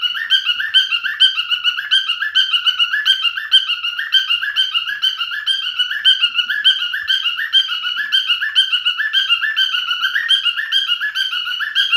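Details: Male cockatiel song: a long, unbroken run of quick, looping whistled notes repeated in a lilting rhythm of about two per second, steady throughout.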